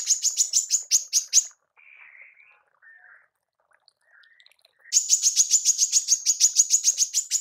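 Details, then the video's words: A female manggar used as a master voice for songbirds gives fast runs of harsh, buzzy high chirps. A quiet gap with soft, lower mumbling notes separates them before a long, rapid chirping burst resumes. "TEMBAKAN MANGGAR BETINA PALING COCOK UNTUK PEMASTERAN BURUNG JUARA ANDA"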